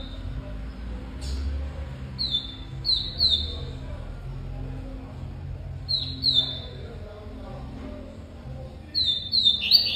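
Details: Cortado-style song of a double-collared seedeater, clusters of clear whistled notes each dropping sharply at the end, with pauses of about two to three seconds between phrases and a faint low hum underneath.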